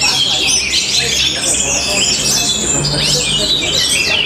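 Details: Orange-headed thrush from Bali singing in the matrix style: crowded high-pitched twitters and looping whistles follow one another without a break, bright and busy throughout, over a constant low hum.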